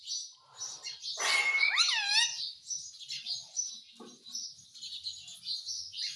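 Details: Hindi-talking pet Indian ringneck parakeet gives a loud harsh burst and an arched harmonic call, then keeps up quick high raspy chattering notes, several per second, indoors.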